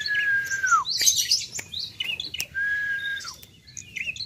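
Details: Young bar-winged prinia: a falling whistled slur, then a rush of high, scratchy chirping, with a second long level whistle ending in a downward drop; faint low background hum.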